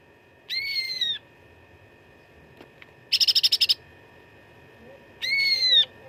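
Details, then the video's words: Cucak ranting fighting song meant for schooling contest birds: a slightly arched sustained whistle, a tight burst of rapid chips, then another long whistled note after a pause. "CUCAK RANTING GACOR TERBARU 2025 _ SUARA TARUNG FULL ISIAN"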